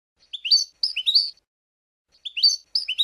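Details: European goldfinch singing the 'Abu Khalil' song style, used for teaching chicks. Bright, twittering phrases of quick rising and falling notes come in two short bursts, then again after a pause, on a clean, silent background.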